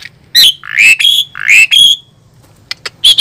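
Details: Asian pied starling, said to be fierce, delivering loud rich whistles, some rising and some level, mixed with harsh squawky notes, then a pause and short clicks before another whistle.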